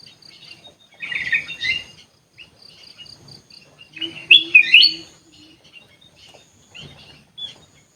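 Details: {'caption': 'Aviary-kept sooty-headed bulbul among other birds, giving lively chirping phrases: a buzzy burst early on, then loud quick twisting whistled notes midway and scattered short chirps afterwards.'}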